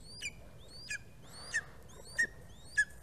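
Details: Fledging greater spotted eagle chick, recorded at its nest by a live camera on 11 August 2020, gives five clear, thin, high yelps. Each note slides up and then snaps downward, spaced roughly half a second apart against quiet background.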